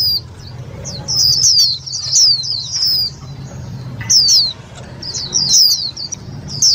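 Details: Indian white-eye lure calls for trapping and exciting other white-eyes: rapid high twittering of thin falling chirps in dense bursts, a few sharp upper notes, with low rumbling background noise throughout.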